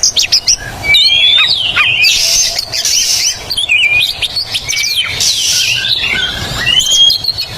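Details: Loud, varied song of an Oriental magpie-robin (kacer), used as therapy for magpie-robins that have stopped singing: rapid chattering whistles, sliding notes and sharp chips, steady hiss behind.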